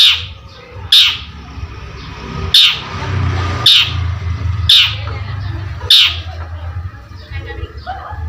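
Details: Long-tailed shrike repeating a short, harsh, scratchy note six times at roughly one-second intervals, each note abrupt and loud, over a steady low hum with faint softer chatter in between.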